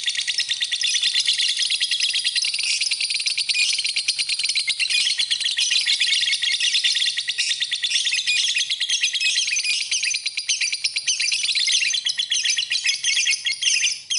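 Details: Lovebird song in a tutoring recording: dense, unbroken high-pitched chatter of shrill chirps and buzzy twitters, pouring out nonstop and rapidly repeated, with no other sounds.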